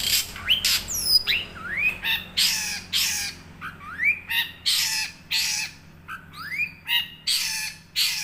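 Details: Young wild long-tailed shrike giving a fast, rolling string of harsh raspy notes mixed with rising whistled slurs, used as a lure to make silent caged shrikes sing.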